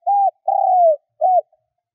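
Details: Decoy spotted dove singing to provoke wild birds: an arched mellow coo, then a long drawn-out croo falling in pitch, then a short curved final coo, all low and clean with no other sounds.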